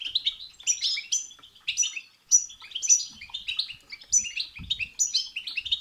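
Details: European goldfinch delivering batbata and setsata song to stimulate another goldfinch: quick tinkling twitters broken by bright, high, slightly buzzy notes in bursts around every half second. The background is clean.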